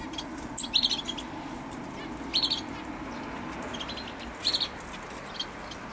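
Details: Common chaffinch recorded 20 October 2012, with short high buzzy-trilled bursts repeated about every two seconds over steady background hiss.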